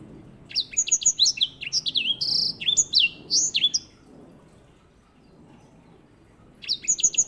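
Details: White-rumped seedeater singing as a master bird for canary training; a continuous three-second run of varied high whistled and slurred notes, then silence and a new phrase starting.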